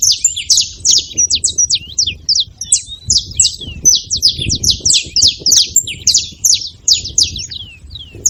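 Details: Wild saffron finches gathered at a seva feeding spot, making noise: dense, overlapping chatter of sharp, high downslurred chirps with barely a pause, several birds calling at once over a low background rumble.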